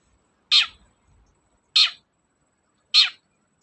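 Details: Long-tailed shrike giving three loud, harsh rasping screeches about a second apart, each a short downward-sliding burst, played to stimulate reluctant shrikes into singing; otherwise quiet.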